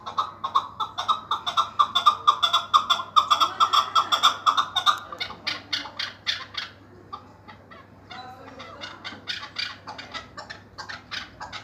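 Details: Chukar partridge giving a fast, dense chatter of clucking notes that softens after about six seconds into looser, spaced chuckling bursts, over a low steady hum.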